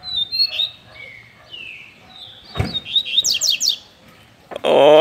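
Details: A captive Double-collared Seedeater (coleiro) gives clear whistled notes and quick high, falling sweeps in a lively phrase, broken by a sharp click and a loud noise at the end.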